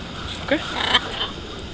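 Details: Among about 15 free-flying wild blue-and-gold macaws that come to be fed in Caracas, Venezuela, on 27 July 2015, a macaw gives two brief, harsh, raspy squawks about half a second apart, over faint background hiss.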